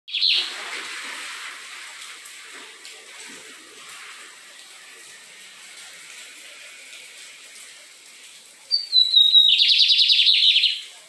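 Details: Lined seedeater singing in the Fátima neighbourhood, Maranhão, Brazil: a brief high note at the start, then after a quiet stretch a descending thin whistle leading into a fast buzzy trill of rapid repeated notes lasting about two seconds.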